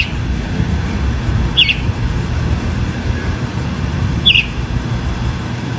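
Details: A chalk-browed mockingbird in natural open country gives two short, bright, clipped notes nearly three seconds apart, with a heavy low rumble filling the background throughout.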